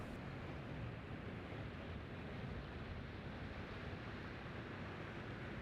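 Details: Heavy wind rumble and surf-like roar on a winter coast, a dense even wash of noise with no bird calls.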